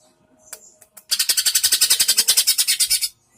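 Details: Greater green leafbird in a singing contest, using an intimidating style against a rival bird: a loud, fast burst of about twenty evenly repeated high notes lasting two seconds, preceded by faint chirps.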